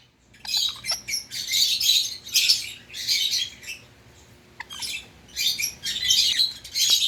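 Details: Bursts of raspy, noisy chatter from a pet Indian ringneck parakeet, each lasting about a second, separated by short pauses.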